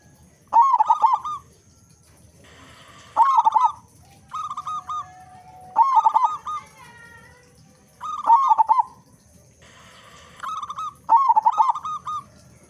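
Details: Local zebra dove with a loud, big voice, singing often, used as a lure to get other doves singing quickly: bursts of rapid, pulsed cooing notes around one pitch, repeated about every two and a half seconds, with faint low background rumble.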